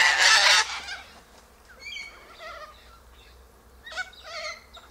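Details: High in a silky oak, sulphur-crested cockatoos eat seeds from the pods. A loud, harsh screech opens the clip and is followed by quieter ringing, wavering squawks from other birds in the flock.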